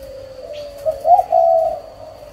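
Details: A spotted dove, recorded 11 June 2023, gives a soft, low, hollow coo that swells into two louder notes before fading, with a faint steady high whine behind it.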